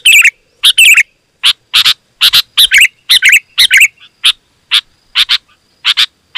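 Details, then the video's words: Sooty-headed bulbul singing loudly and densely, used to lure wild birds to approach: rapid bursts of harsh chirps and bubbly notes, about two per second, with gaps between phrases. "Suara Burung KUTILANG GACOR, Rapat dan Lantang Burung Kutilang Liar Auto Emosi dan Mendekat"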